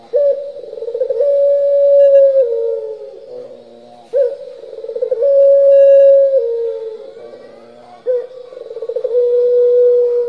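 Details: Turtle dove in the pelung style, calling tirelessly: three phrases roughly every four seconds, each opening with rapid rolling pulses and swelling into a long, held coo.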